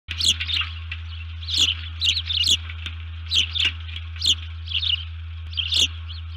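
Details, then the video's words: Osprey at its nest, upset by something, giving alert calls early on 1 June 2019 at 04:35, recorded by nest camera: bursts of high, sharp chirps in quick clusters, about eight groups over six seconds, over a steady low electrical hum. "What upset Harriet and made her call alerts?"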